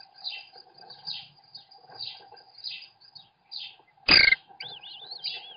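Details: At an American kestrel nest webcam as the male feeds his young: high, raspy, downslurred notes repeated about once a second, then a sharp knock and some warbling, looping whistles over a steady low hum.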